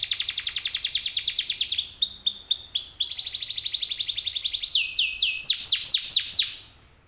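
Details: Canary singing a lure song to prompt other canaries to reply: long bright trills of quick repeated notes that shift from one tour to the next, ending in a series of swooping downslurred whistles before fading out.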